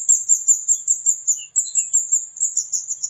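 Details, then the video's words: Continuous high-pitched ticking chatter of a flowerpecker, locally kemade, with rapid 'cit cit' notes running nearly unbroken for three seconds, dipping briefly mid-way. "Burung Kemade Gacor Cit Cit || Pancingan Burung Cabai Gacor"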